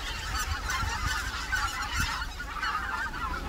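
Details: Wintering greater white-fronted geese on Korea's Cheorwon plain, a resting ground for winter birds: thick overlapping chatter of many honking calls, steady throughout, with low rumbling noise beneath.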